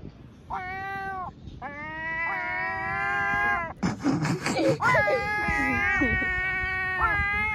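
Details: Gulls being offered a doughnut give long, nasal, cat-like mewing wails, held steady then dropping, with a harsh squabbling burst in the middle.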